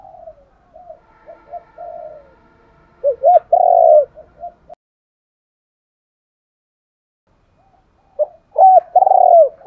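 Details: Spotted dove decoy calling, used to lure wild doves in: deep hoarse coos, a soft lead-in, then a loud rolling phrase of three or four coos, a pause, and the loud phrase again.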